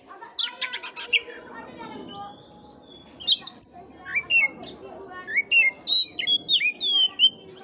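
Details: Oriental magpie-robin singing, used as a lure to stimulate sluggish magpie-robins: a few buzzy chattering notes, then a string of clear whistled phrases, slurred up and down and repeating about three times a second.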